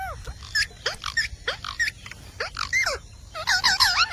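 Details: Talking Indian parrot, a rose-ringed parakeet: a string of quick squealing notes sweeping down in pitch, about three a second, with a faint wavering background and a last cluster of higher chattering squeals.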